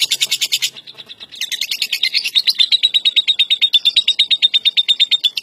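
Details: National first-place champion lovebird giving its long-duration ngekek song: fast, regular high rattling trill of sharp repeated notes, about three per second pulses merging into a continuous chattering run, strong and unbroken after a brief shift in tone.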